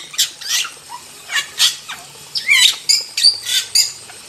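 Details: Wild starling singing in a tutor recording for training birds: scattered harsh, rasping bursts and short rising whistles, spaced by brief pauses, with a low rumble beneath.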